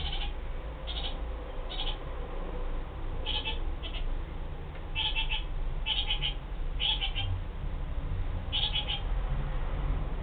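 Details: Kakariki giving short, harsh chattering bursts in a high register, repeated about once a second with brief pauses, set against a constant low rumbling hum throughout.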